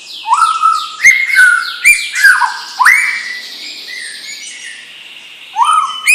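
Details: Singing white-rumped shama, a young bird of champion stock, giving sweeping upslurred whistles and sharp clicks in the first three seconds, a quieter high warble, then one more rising phrase at the end.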